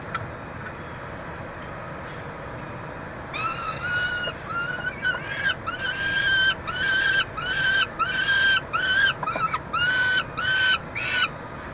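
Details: Feeding time at a peregrine falcon nestbox, University of Montreal, Canada, 22 June 2023; after a few quiet seconds, loud wailing harmonic calls start and repeat in quick succession, slightly rising at each onset.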